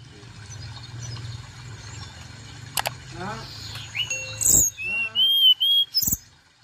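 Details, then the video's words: Lure call of the Blood-breasted Flowerpecker, used to make other birds call. A few soft clicks and chirps lead into a run of loud, high, pure whistles and thin upper notes, ending in a sharp high flick. "Suara Panggilan Tercepat ‼️ Bikin Tledekan Gunung Cepat Bunyi"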